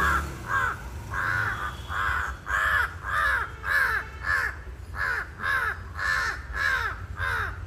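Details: Powerful, unbroken run of a crow's harsh caws, around thirteen arched calls spaced roughly half a second apart, with a faint low hum underneath.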